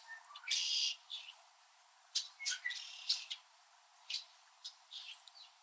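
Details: Red-winged Blackbirds calling in a winter backyard in Southern Ontario, Canada, perched high on tree branches. Quieter, more distant-sounding chirps and short buzzy notes, including a drawn-out harsh note early on, scattered over light background hiss.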